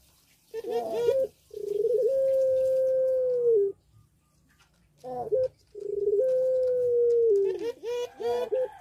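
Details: Two rounds of song from a breeding-condition puter pelung dove in a cage: each opens with a quick stammered syllable, then stretches into a long level coo lasting over a second, ending in a rolling flourish.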